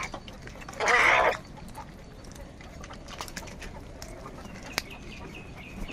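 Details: During a fight over food, a crow gives one loud, rasping caw lasting about half a second. Quieter ticking and rustling noises follow.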